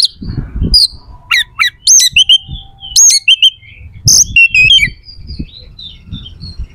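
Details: Oriental magpie-robin in varied, sharp song meant to make opposing kacer eager to fight: high whistled notes, scratchy chatter and descending slurs, over a low rumbling background.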